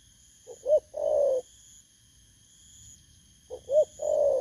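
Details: Cooing of a newly caught spotted dove, Vietnam, 19 August 2024. Two phrases, each a brief double note leading into a longer, mellow, falling coo. A thin steady whine is present in the background.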